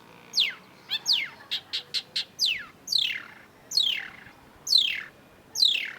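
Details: Long-tailed shrike singing, used as a lure recording: loud slurred whistles sweeping down from high to mid pitch, repeated about once a second, broken by a short burst of quick clipped notes.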